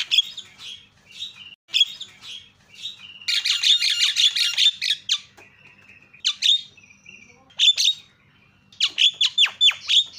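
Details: Javan myna, a loud lure for getting quiet mynas to call: scattered raspy chirps, then a rapid rattling burst of clicks and squawks, a thin steady whistle, and closing clusters of sharp descending whistles.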